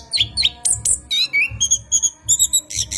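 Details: Orange-headed thrush night song used to lure cage birds: a few descending whistles, then sustained high tones and quick trills, with a steady low humming drone throughout.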